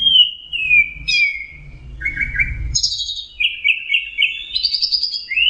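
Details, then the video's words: Orange-headed thrush song: sliding whistled notes that fall in pitch, then buzzy warbled phrases that step upward, delivered continuously, over a faint low background hum. "Burung anis merah jenis burung kicau mahal dan suaranya merdu"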